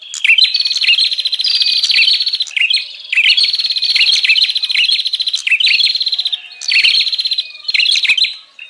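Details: Bar-winged prinia lure recording used to attract wild birds: rhythmic, rapidly pulsed buzzy rattles with chirped downward notes, in three long bursts broken by short silences.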